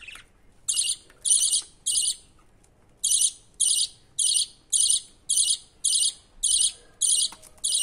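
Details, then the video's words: Chick budgerigar climbing to its father for feeding, calling with a steady series of short scratchy buzzes, roughly one every half second, very even in rhythm after a brief pause. "Baby Budgie climbing for feeding food from father budgie."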